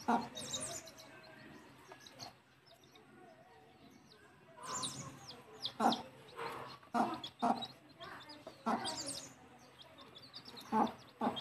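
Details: Mother hen taking her chicks back to the nest to roost; bursts of low clucking and rustling come in clusters, overlaid by steady high peeping from the chicks throughout.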